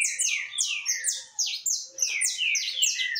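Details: Canário caboclo recorded 20 October 2021, pouring out loud, dense chirping song made of quick downslurred whistles and squeaky notes with barely any gaps.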